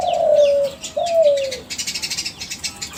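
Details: Spotted dove of the Kelantan strain from champion breeding stock, played as a calling lure: two smooth, slightly falling coos, then a run of quick high chirps from other small birds.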